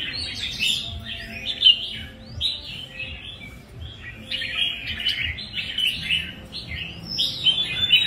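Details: Red-whiskered bulbul kept as a song bird, giving bright chattering warbles. Short bursts of varied notes come in quick clusters, partly overlapping. A low hum runs underneath.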